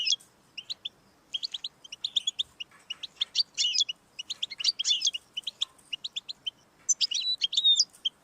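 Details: Song of a European goldfinch intended to get a pet goldfinch singing, a busy chatter of bright twittering notes and buzzy bursts, ending with a clear drawn whistle.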